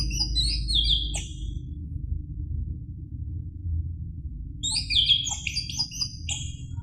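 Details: Orange-headed thrush song played to stir a caged bird into singing: two bursts of high, jumbled, slurred whistles and chattering notes separated by a pause of about three seconds.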